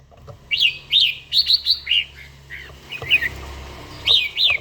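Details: Red-whiskered bulbul kept in a cage, giving morning song as part of daily training. Clear, loud whistled phrases rise and fall in quick runs, several in succession, then a pause before two more bright phrases. Faint low hum below.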